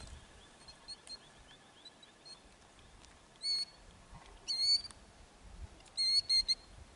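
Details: Killdeer protecting its ground-nest eggs with an injury-faking distraction display in Kananaskis, Alberta, Canada, gives shrill, high, piercing calls in three quick bursts, with faint thin chirps early on.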